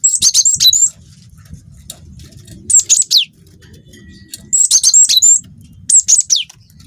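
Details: Long rolling song of a young cinereous tit: four bouts of rapid, high, metallic chips and down-slurred whistles roughly every one and a half seconds, with a low hum between phrases.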